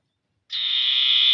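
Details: Common iora in its ngetir calling style, directed at rivals and meant as a lure to set other ioras singing. A harsh, buzzy trill starts abruptly after silence and holds steady to the end.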